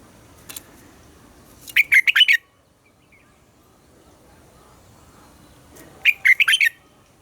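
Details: Red-whiskered bulbul singing its mature, wild-style double-note morning song to stimulate captive birds. Two short warbling phrases of about five rapid notes each come roughly four seconds apart, with quiet between.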